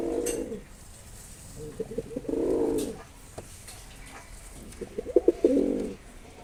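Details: Mosaldom pigeon, a domestic breed, cooing: three low, throaty coo bouts come at the start, around two to three seconds and again near five to six seconds, with pulsing, stuttered notes between them and quiet gaps.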